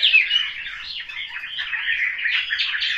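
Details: Caged Chinese hwamei kept at home in Hanoi, singing a continuous warbled stream of slurred notes, fairly soft throughout with a brighter start.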